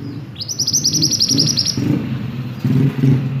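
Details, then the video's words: Silver-eye song, presented as a lively master-song singer, is a quick high trill of sharp pulsed notes lasting about a second and a half. It is followed by low rumbling engine-like noise. "burung mantenan gacor !!! masteran handal"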